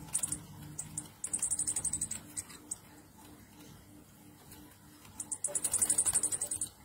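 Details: Orange-headed thrush, or anis kembang, singing in the 'ngecir nratak' style, a recording played to prompt other birds into song. Very high, fast, rattling trills arrive in one-second bursts at the start and again near the end, with quieter scattered notes between.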